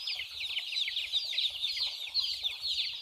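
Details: Chicks running and drinking water give rapid shrill chirps, dense and overlapping, with soft low pecking or tapping sounds repeating underneath.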